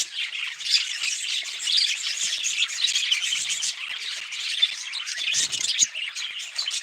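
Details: Group of budgerigars keeping up a constant warbling chatter, quick high twitters and chirps tumbling over one another, with a few louder peaks.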